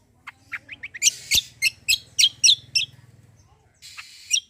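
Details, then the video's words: Kecial kombo, or cucak kombo, singing gacor besetan phrases to prompt other birds to sing: thin rising chirps build into loud harsh bursts about four per second, then a faint low rattle and a final hissing note. "KECIAL KOMBO CUCAK KOMBO GACOR FULL TEMBAKAN BESETAN || UNTUK PANCINGAN BUNYI BURUNG BAHAN"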